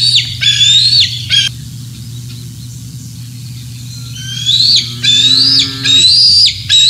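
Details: Bald eagle squealing at Decorah North on a June 2024 morning as fish are delivered and eaten: two high whistled squeals, a quiet pause, then more sharply falling screams, with a low lowing animal sound in the background.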